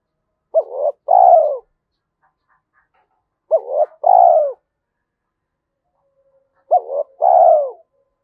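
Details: Spotted dove with a 'giọng thổ' style voice, said to suit the forest for trapping: three phrases about three seconds apart, each a short broken double note then a drawn-out falling coo.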